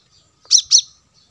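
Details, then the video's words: Plain-throated sunbird, known locally as kolibri kelapa or manggar, used as lure audio for wild birds: two sharp, high, downslurred chips in quick succession, then quiet. "suara pancingan kolibri kelapa | manggar"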